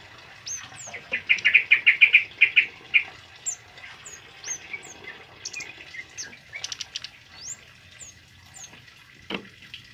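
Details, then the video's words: Tame male kemade in full song, recorded for tutoring other birds: a loud fast run of about a dozen rich chattering notes, then scattered high thin whistles and slurred chirps, one sharp low click near the end. "Suara Burung Kemade Jantan Jinak Gacor Ngalas Buat Masteran"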